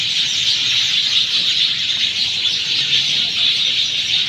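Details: Sanghar, Sindh, after the monsoon rain: sparrows by the dozen chirp and squeal together in an intense, even, high-pitched chatter.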